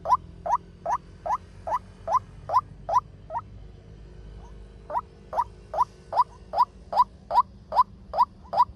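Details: Male white-breasted waterhen fast lure call for trapping: a regular train of rising nasal notes, roughly two and a half a second, a brief pause near the middle, then the series resumes.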